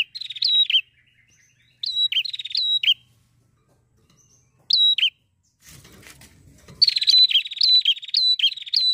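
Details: Prinia in lively, chattering song, used to stimulate other prinias to sing: bursts of rapid buzzy rattled notes with bright whistled upslurs, phrases separated by silences, a brief rustling thump before a final long run of repeated phrases.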